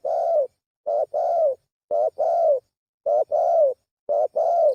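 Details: Repeated spotted dove lure call, short coo then longer falling coo in steady pairs about once a second, five phrases in a quiet setting.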